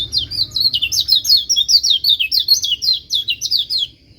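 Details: White-eye singing, a song other white-eyes reportedly join: a lively run of high, sharp chirps that slide downward, repeated quickly for about four seconds over quiet low background noise.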